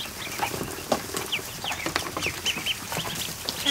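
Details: Afternoon in a barn: 100+ just-hatched ducklings in a kiddie pool utter frequent short, high, sliding peeps, sometimes in quick pairs, above a steady wash of splashing water.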